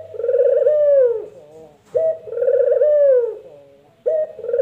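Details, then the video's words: Puter dove cooing its 'empuk jeruu' call: a short clipped opening note, then a long rolling coo that rises slightly and drops at the end. Two full phrases, then the start of a third, each about two seconds apart. "Suara Burung Puter Empukjeruu"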